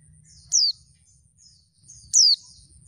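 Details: Female oriental white-eye call used to provoke lazy males into singing: two loud, thin, high whistles, each sliding steeply downward over a fifth of a second, about one and a half seconds apart, with faint twittering behind.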